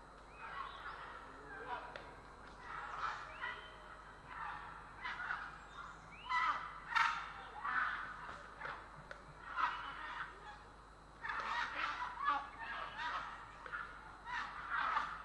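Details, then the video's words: Grey heron in Estonia, recorded 3 April 2017: a dense series of harsh, croaking bursts, several overlapping, coming in rough clusters about every half second to a second throughout, with a steady faint background hiss. "Grey Heron"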